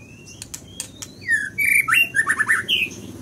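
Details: Scarlet minivet delivering a lively whistled phrase of about eight quick down-slurred notes with a rising end note, preceded by scattered sharp clicks.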